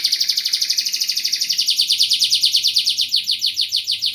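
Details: Canary singing steadily in the 'gacor' manner with luxurious 'cengkok mewah' phrasing: a fast, even roll of high pulsed notes, about seven per second, sliding slightly upward partway through, with a faint low hum beneath.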